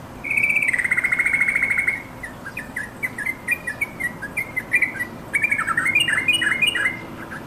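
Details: Yellow-vented bulbul calling its companions, played to make caged bulbuls sing; a sustained rapid trill opens, followed by scattered short notes and a burst of bubbly, warbled phrases.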